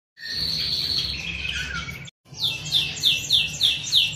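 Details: Canary song: a sustained, buzzy high trill rolling for about two seconds, a brief break, then a series of rapid repeated down-slurred notes, about four per second.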